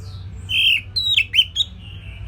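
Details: Orange-headed thrush singing a simple phrase for songbird training: a drawn, warbled whistle, then three quick sliding notes with sharp clicks, over a steady low background hum.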